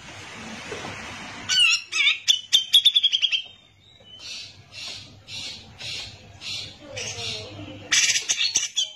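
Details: Grey-cheeked bulbul (cucak jenggot), a caged bird singing constantly in the gacor style, recorded as masteran tutor song for training other songbirds: sharp chips, then a rapid buzzy trill around a steady pitch, followed by evenly spaced harsh notes and a closing burst, over a low hum.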